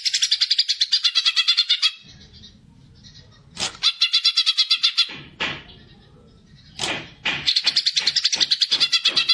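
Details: Greater green leafbird giving a fighting song meant to provoke other birds: long bursts of rapid, harsh, chattering high notes, broken by sharp single accents and pauses with a low background hum.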